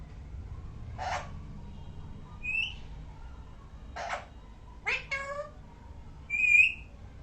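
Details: Parrot calling indoors: loud raspy bursts spaced a few seconds apart, a bent, harmonic-rich cry, and a clear high whistled note near the end.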